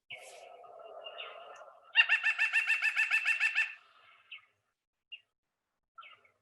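White-breasted nuthatch giving a fast, even run of about a dozen nasal, tooting notes, then a few single nasal notes, after a faint background murmur.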